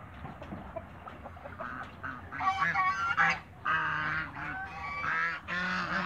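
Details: African geese in a backyard farm meet other waterbirds. They give loud, harsh, nasal honks in uneven bursts that overlap one another, with quieter clucking fowl calls underneath.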